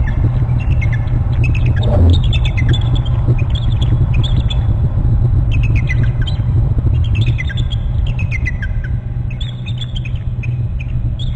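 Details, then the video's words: Eagles at their nest territory on Hornby Island, November 29, one perched to the left trilling: repeated short series of thin, high, descending chittering notes, under a steady heavy low rumble of wind or background noise. "eagle on short left and crook and trilling"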